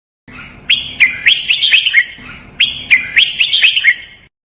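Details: Two matching warbled phrases from a red-whiskered bulbul, a Thai training track in the 'double 2, counted phrases, lak wai' style: each about a second and a half of quick, bright, bubbling chirps, repeated after a short pause.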